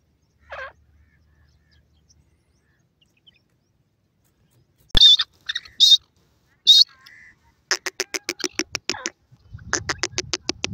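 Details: Francolin calling: after a faint early note and three loud squealing bursts, a rapid run of harsh, rasping pulses follows, roughly four per second, then a second similar series over low background rumble.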